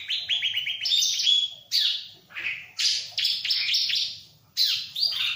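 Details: Ciblek (bar-winged prinia) song opening with a fast string of repeated chirps, then buzzy bursts and falling whistles split by short gaps.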